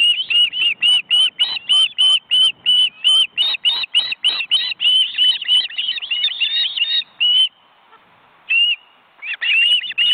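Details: Osprey family on its nest in an Estonian reserve forest, chicks beating their wings. A dense, excited stream of whistled notes, several birds overlapping and rising in pitch, breaks off briefly before resuming with a few more calls.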